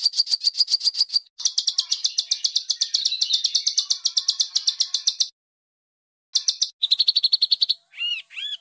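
A songbird gives high, harsh rasping notes in rapid runs of about four per second, then short buzzy bursts and a few rising whistles.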